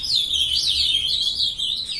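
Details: Young ultramarine grosbeak hatched in 2020, captive-bred, starting to sing at 7:21 in the morning on 23 June: a loud, unbroken high warble of wavering slurred notes lasting two seconds.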